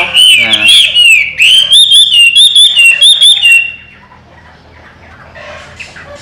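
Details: Chinese hwamei, a trained bird kept in a cage, singing a loud series of rapid, evenly repeated whistled notes for nearly four seconds, then falling quiet, leaving faint background noise.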